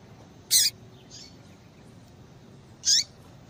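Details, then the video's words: Female yellow-bellied seedeater call to stimulate males; two strong high chirps about two and a half seconds apart, the first harsher and broader, with a faint softer note between them over quiet hiss. "Piado de Fêmea de Papa capim para Esquentar Papa capim"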